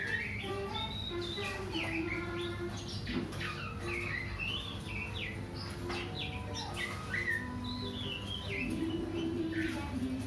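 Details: Oriental magpie-robin (kacer) delivering a long, varied song of rapid whistles, upslurs, twittering notes and short trills, set against a continuous low droning background.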